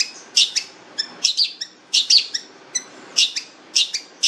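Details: Long-tailed shrike, said to be fierce and rich-voiced, giving repeated harsh, chattering double and triple notes in short bursts, roughly every half second to second.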